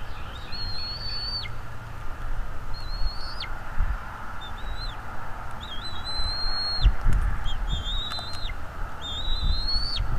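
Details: At the nest, a Bald eagle gives drawn-out, high, piercing whistles that rise slightly, hold steady, then fall off abruptly. Five or six notes spaced a second or two apart, with faint clicks and low background hum. Nest camera, 23 April 2021, 07:25.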